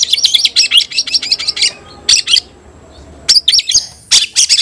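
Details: White-rumped shama call challenging an opponent to fight: a long run of fast, harsh, high chips, then shorter bursts of scratchy notes separated by brief gaps.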